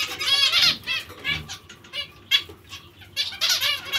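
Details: Zebra finch giving a run of nasal, harmonic-rich chirps in quick bursts, with short quiet gaps between clusters of notes and a brief soft thump.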